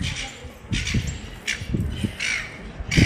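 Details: A very young juvenile silver gull running around a pedestrian mall in Ballarat, Victoria, Australia gives harsh, grating squawks, about four in three seconds, over a low background rumble.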